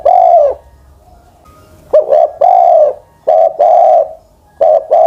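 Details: Decoy spotted dove aged over ten years sings repeated coo phrases: a clipped double note leading into a sustained rounded coo that trails downward, phrases about one to one and a half seconds apart.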